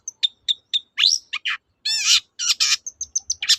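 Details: Long-tailed shrike song for prompting quiet shrikes to sing: three clipped high whistles, then a rising slur, a rasping buzzy burst and further harsh notes ending in thin short chips.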